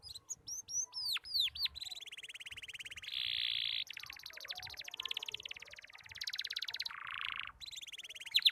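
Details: Young canary learning to sing with a halting, broken song: opening sharp sweeping whistles, then long stretches of fast rolling trills and harsh buzzy tours at different pitches.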